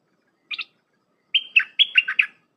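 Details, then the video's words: Red-whiskered bulbul in a dense tutoring song for young birds: a brief doubled chirp, then a pause and a fluent phrase of level whistles breaking into quick descending notes, clean and unaccompanied. "เสียงนกดอกแตงEp.129เปิดหัดลูกป้อน/ลูกเสอ เพลงแน่นๆ สับดอกล้วนๆ"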